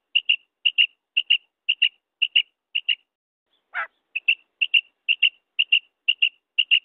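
A female common quail gives high, thin paired notes, a quick double pip repeated about twice a second, with one brief rasping sound in the middle.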